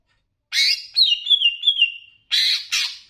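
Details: Greater green leafbird, Banyuwangi type, in a master recording meant to excite other leafbirds. A harsh, broad burst, then a long, warbled, descending whistle, then two more rasping bursts.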